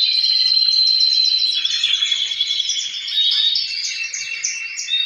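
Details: Several captive male canaries singing, one fine singer answered by the rest, a din meant to prompt breeding. A sustained pure whistled note under rapid rippling trills, then quick descending rolls and chirps.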